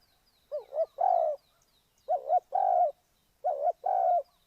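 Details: Spotted dove kept as a trapping lure, giving three cooing phrases: a wavering double-noted opening slurred into a long, even, throaty coo. The phrases come with gaps of about a second, and faint high chirps sound behind.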